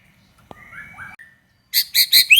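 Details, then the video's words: White-rumped shama, a lure recording meant to provoke other shamas to sing: thin sustained whistles near the start, then four loud, rapid, bright phrases spaced about a fifth of a second apart at the end. "SUARA BURUNG MURAI BATU GACOR INI"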